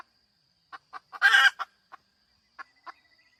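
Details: A female chicken utters a few quick clucks leading into one harsh, prolonged squawk. Sparse single clucks follow at irregular gaps, with a faint steady high hum behind.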